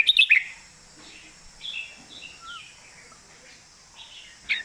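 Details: Red-whiskered bulbul in the southern master song style. A loud burst of sharp notes opens, followed by soft, wavering whistled phrases and another sharp note at the end, with faint hiss behind.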